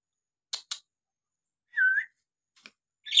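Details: Nias hill myna in full song, played as a lure to stir untrained or lazy mynas into singing: two short harsh broadband bursts, then a clear whistled note that rises slightly and falls, a faint click, and another harsh burst.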